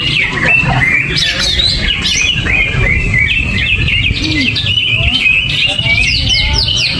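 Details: Greater green leafbird (cucak ijo) singing agitatedly ('gerabakan'), kept without cage cover: busy stream of whistled slurs, rapid downward-sweeping notes and scratchy chatter, steady throughout, with low background noise.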